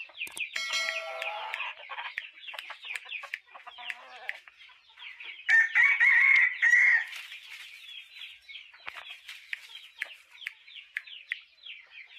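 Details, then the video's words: Chickens calling: a dense, continuous chorus of thin high peeps from many birds, rapid and overlapping, with a louder, trilling run of peeps near the middle. "Chicken with Chicken Sounds"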